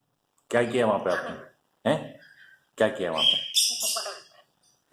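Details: A pet female Congo African grey parrot talks in short, voice-like bursts with brief pauses between them, ending in a higher, squeaky note, in what sounds like a small indoor room.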